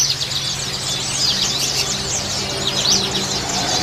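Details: A colony of oriental white-eyes giving a dense chorus of high, thin chirps and twitters that overlap without pause, over a steady low hum.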